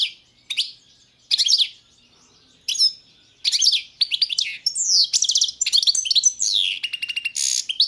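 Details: Competition recording of a Balkan goldfinch, Carduelis carduelis balcanica, from a 2022 world championship: short twittering bursts at first, then a continuous run of rapid, liquid, tinkling and buzzy high notes.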